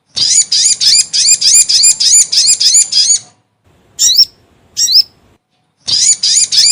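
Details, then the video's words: Lure call of a crimson sunbird, played to draw birds in for trapping: a rapid run of high, scratchy, buzzy notes repeated several times a second, a pause, two sharp squeaky chirps, then the fast run starts again. "SUARA PIKAT BURUNG SOGON GACOR"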